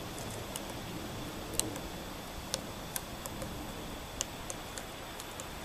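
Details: A Eurasian three-toed woodpecker in Espoo, Finland, on 4 June 2015 taps on wood while foraging and finding white grubs. It gives sharp, dry knocks about every half second at an uneven pace, not a drum roll, over a quiet steady hiss.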